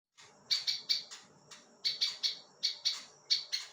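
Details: Prinia song used as a tutor recording for other songbirds: bursts of sharp, high chirping notes in quick runs of three to four, separated by short pauses.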